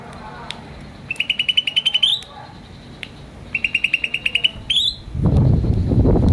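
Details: Green starling repeating a rapid, high chirping trill twice, each run ending with a rising note, followed by a loud low rumbling noise.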